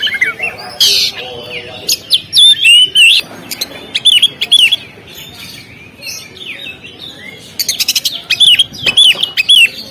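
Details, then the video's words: On the contest stand, an Oriental magpie-robin delivers scattered clear whistles and bent, slurred notes, then a pause of a few seconds before a fresh burst of bright, quickly repeated whistled phrases. "SUARA BURUNG KACER, Langsung on di gantangan"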